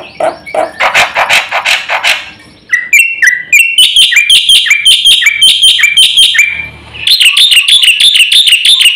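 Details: Black-winged myna in energetic full filler-song mode: opens with harsh chattering bursts, then shifts to clipped whistles and long runs of rapid, wavering, ringing notes rising and falling, with a short break before the last run.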